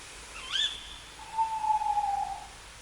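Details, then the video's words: Tawny owl calling at night in a forest: a short, sharp high note, then after a pause one long, smooth, steady hoot lasting about a second, in a quiet background. "Le Cri de la Chouette Hulotte"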